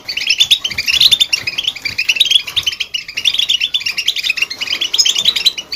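Goldfinches twitter in a fast, bright, tinkling stream of high chirps and trills, almost without pause, briefly slackening at the midpoint before resuming.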